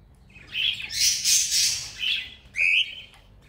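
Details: Cockatiels at play, offered as company for a lone bird: a run of harsh, noisy chirps with bright overtones, then one clear rising whistled call near the end.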